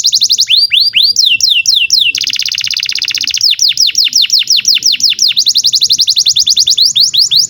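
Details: Canary singing long tours for training young canaries: arching whistles, a harsh buzzy rattle, then long runs of rapid swooping notes repeated many times a second.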